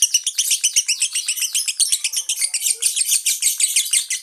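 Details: Lovebird performing konslet chatter, beak held open; dense, shrill, scratchy notes pulsing about twice a second in a steady unbroken stream, with no background sounds.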